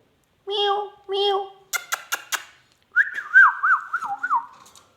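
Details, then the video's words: Talking ringneck parrot, a pet indoors: two drawn-out, nasal mew-like calls, then a burst of sharp clicks, followed by a wavering, warbling whistle that rises and falls several times. "talking heavan beutyfull magical ringneck"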